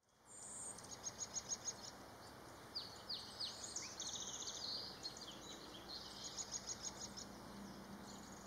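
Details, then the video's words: Black-capped chickadee recorded on March 13th, 2022, giving rapid runs of high, thin repeated notes with buzzy downslurred chips in between, about three per second, against a steady hiss of background noise. "Black-Capped Chickadee"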